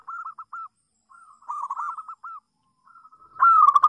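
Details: Local zebra dove, said to have a melodious voice, singing as a lesson for doves still learning: short hooked coo notes in groups, a rolling trilled phrase in the middle, then a loud falling burst at the end.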